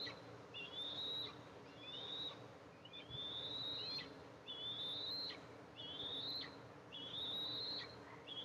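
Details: Calls at an Eastern imperial eagle nest holding two eaglets, recorded by a nest camera on 14 July 2024 as the mother comes in with food: a regular series of piping, rising whistles, each ending in a level held note.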